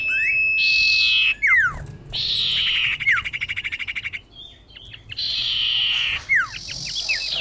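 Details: Female common iora calling a male, used to lure birds: rasping buzzy bursts, falling whistles and a fast stuttering train of about fifteen pulses, then more buzzes and sharp slurs.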